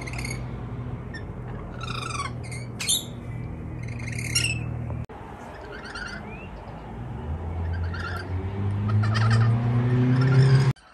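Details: Rainbow lorikeets, a wild family visiting a balcony in Melbourne, Australia, give scratchy squawks and chatter in the first half. A rising mechanical drone grows louder toward the end.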